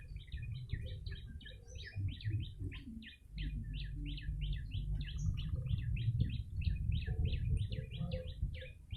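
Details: Yellow-bellied prinia lure recording: a fast, continuous run of sharp chirped notes, about three or four per second, each dipping and rising, over a steady low rumbling background.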